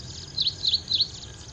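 Ashy prinia giving three thin, high, sharply rising-and-falling notes about a third of a second apart, over faint background hiss.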